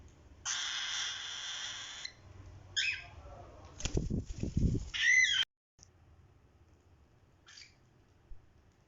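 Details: Pet cream cockatiel chicks give a long raspy, hissing call followed by a few brief harsh chirps.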